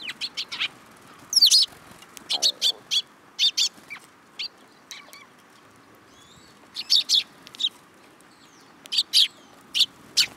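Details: At a Tenmangu shrine in Japan on 2 July 2022, fledgling sparrows hopping onto a hand call in short, piercing chirps. The notes are irregular and loosely spaced, with a quiet gap midway before a fresh volley.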